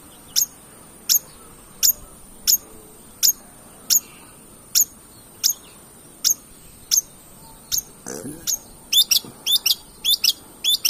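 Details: Long-tailed shrike, lure recording for provoking song: a long series of thin, sharp high notes at even intervals, then a brief lower scratchy sound and a quicker run of hooked high notes.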